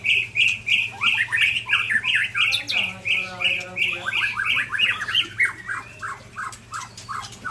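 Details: Two white-rumped shamas of the Aceh types Ujong Pancu and Tangse spar in song. Bright chirped notes repeat fast, about three per second, around a steady middle pitch, with a short tangled burst midway.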